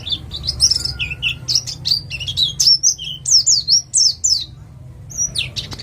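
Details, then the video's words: East Java ngalas white-eye singing nembak-style to lure other birds into song: continuous high, rapid warbling of falling and rising slurs with a soft low hum beneath. "Pleci jatim ngalas cocok untuk pancingan bunyi"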